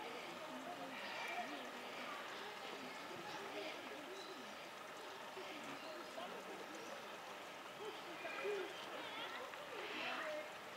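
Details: A flock of greater flamingos at Opole Zoo keeps up a dense, continuous gabble of nasal, goose-like honks and grunts, many birds calling at once over a faint watery background.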